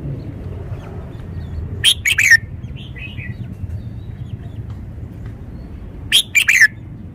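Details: Two sharp whistled song phrases from a caged red-whiskered bulbul, roughly four seconds apart, each three or four quick notes falling at the end, with quieter twittering notes between them over low hum.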